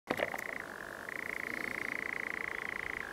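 A nightjar's long, dry, mechanical churr: a fast, even trill that flips between a higher and a slightly lower pitch. Nothing else is heard.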